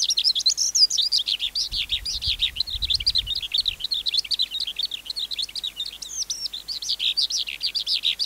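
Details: Wild-caught adult skylark pouring out high, rapid song meant for tutoring caged young birds; bubbling chirps and trills run without a break, with a brief low rumble in the background early on.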